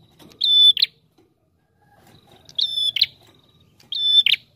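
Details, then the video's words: Prinia in persistent song, used as a trapping lure: three phrases, each a flat, pure, high whistle running straight into a harsh buzzy burst, separated by pauses of over a second, with faint low background noise. "Prenjak TAMU Gacor Ngalun Rapat"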